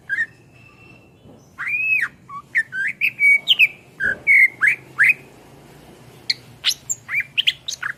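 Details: Greater green leafbird (cucak ijo) in full song, used as tutor song for songbirds: a lively stream of arched whistles and slurred notes, then quick high chirps, over a faint low hum.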